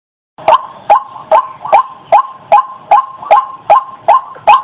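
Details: {'text': 'Lure call of a white-breasted waterhen: after a moment of silence, a series of ten loud, harsh notes repeated evenly roughly every 0.4 seconds, each a short nasal bark.'}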